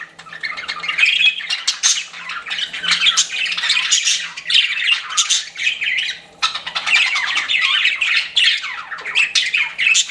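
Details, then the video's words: Pet budgies keep up a long, busy warbling chatter, grating chirps and thin whistles overlapping, with a brief drop in volume midway before the chatter resumes. "CUTE PET BUDGIES CHIRPING"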